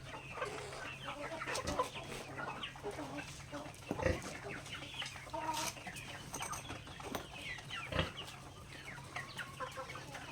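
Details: Backyard native chickens feeding on grains; softer scattered clucks and chirps from the flock, punctuated by several sharp pecking thumps and a low steady hum beneath.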